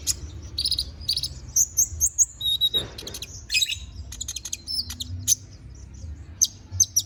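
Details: Konin bird in lively, full song, used as tutor song for magpie-robins: varied high, thin chirps, short whistled trills and sharp squeaky notes in quick bursts, some brief buzzy phrases, with a faint low hum behind.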